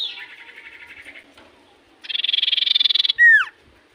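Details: Common iora singing in full voice to draw replies from other ioras: a softer descending buzzy trill, a brief pause, then a louder fast trill capped by a sharp downward-sliding whistle.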